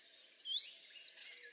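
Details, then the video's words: One rose-throated becard phrase: a sharp rising flick followed by a long, clear whistle falling in pitch, clean and close with little background. "Rose-throated Becard Bird Song"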